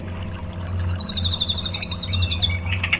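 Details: White-rumped shama lure song, 'tembakan' style, to provoke rivals: a high rapid trill of evenly spaced notes dipping slightly in pitch, with a softer lower phrase beneath and noticeable background rumble.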